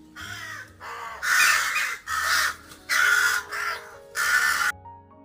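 A crow gives five harsh, hoarse caws, evenly spaced about every two-thirds of a second, over soft background music.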